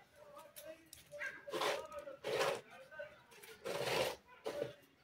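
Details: A Pakistani ringneck (rose-ringed) parakeet kept as a pet chatters in short, speech-like bursts, harsh and nasal, with several loud phrases spaced about a second apart.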